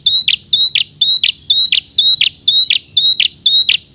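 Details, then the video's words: Red-headed prinia calling to a rival: a steady series of paired notes, each a thin level whistle followed by a harsh buzzy burst, repeated about twice per second throughout. "Prenjak kepala merah gacor corr memanggil lawan"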